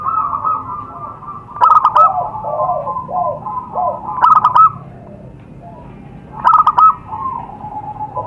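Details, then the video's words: Zebra dove calling in the wild, used as a lure for wild doves: three loud clipped cooing bursts, each a quick stutter of mid-pitched notes, about every two and a half seconds, with softer doves cooing behind. "suara pikat burung perkutut di alam"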